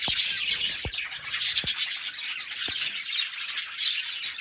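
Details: Budgies in constant high, scratchy chatter, warbling and squawking notes overlapping without pause, with several sharp tapping clicks in the first seconds.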